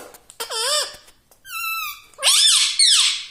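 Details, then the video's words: Indoor pet talking parrot: a wavering nasal squawk, a long flat whistled note, then a harsh rising-and-falling syllable with a raspy, speech-like quality. "Talking parrot || mitthu mitthu || tota || Bolne wala tota"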